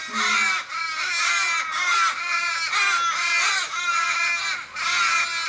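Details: A flock of Australian ravens mourning a dying companion in a Kellyville street, Sydney, July 2012: a chorus of nasal, drawn-out, descending wails repeating roughly every second, several birds overlapping.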